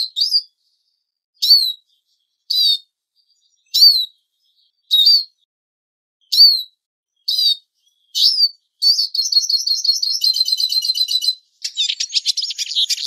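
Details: Eurasian siskin lure: a clear, falling, whistled call repeated roughly every second for eight seconds, then a fast buzzy trill and harsh, wheezy chatter.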